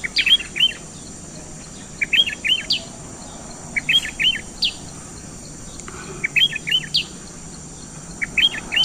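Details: {'caption': 'Sooty-headed bulbul singing: short bubbly, looping phrases of three or four quick notes, repeated about every one and a half to two seconds, over a steady high-pitched insect drone.'}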